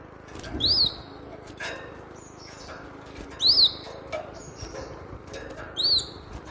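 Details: Cinereous tit song used as a training lure for captive birds: loud arched whistled notes about every two and a half seconds, with quieter flat whistles and soft clicks between them.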